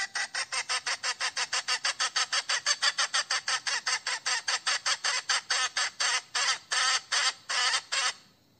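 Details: Domestic hen calling for a rooster, a call known in Thai as 'koi': a fast series of harsh, broadband, clucking notes repeated about four times a second for eight seconds, spacing out slightly toward the end, with no other clear sounds.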